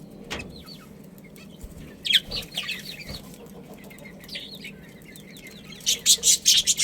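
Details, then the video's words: Budgerigar breeding pair, the Australian parrot: quiet, wavering warbled notes build into a burst of bright, rapid chirps near the end. "Budgies Breeding Pair"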